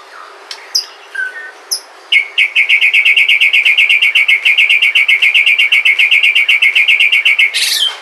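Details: White-rumped shama of Sumatran stock singing to prompt other shamas: a few high chips and a short low whistle, then a long, rapid, evenly repeated series of buzzy notes, about four each second.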